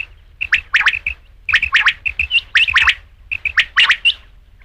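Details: Rain quail uttering clipped clear pips followed by sharp rasping doublets, the phrase repeated three times at an even pace.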